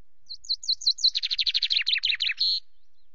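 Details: Perched chaffinch at Loch Garten, 24 May, 17:02, sings after preening: a few bright high notes, then a tumbling trill that slides downward and finishes on a sustained, emphatic final note.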